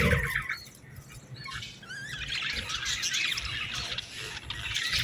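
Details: Young budgerigars calling for food make thin, wavering squeals and rising chirps over a rough, hissy background, with one louder burst at the opening.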